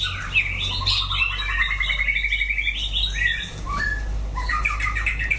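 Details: An orange-feathered white-rumped shama sings wild style, with buzzy rapid trills, clear whistled slurs and quick descending notes strung into a continuous varied phrase over a constant low hum.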